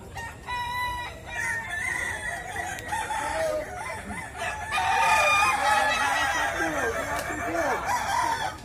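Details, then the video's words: Kukuak Balenggek roosters at a West Sumatra crowing contest, a chorus of long drawn-out crows swelling louder midway, several birds layered over steady crowd murmur. "Lomba Kontes Ayam Kukuak Balenggek, Suaranya Bikin Kagum"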